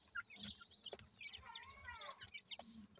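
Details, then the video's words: Grey francolin adult with chicks, the chicks calling: thin, high peeping notes and short downward-slurred chirps, with a quick cluster of descending slurred notes mid-way and a faint low hum underneath. "grey partridge bird with chicks,chicks calling"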